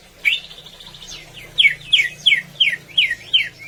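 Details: Cucak ijo, the greater green leafbird, delivering energetic song: a brief buzzy trill, then a steady series of six loud downslurred whistles about every third of a second, with a faint low hum behind.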